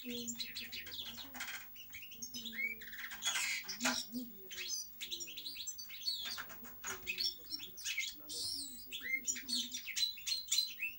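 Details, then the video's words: Rapid, dense European goldfinch song of liquid twitters, buzzy trills and rising and falling notes, almost without pause, over a constant low electrical hum. "Cantec de Sticleti Goldfinch song"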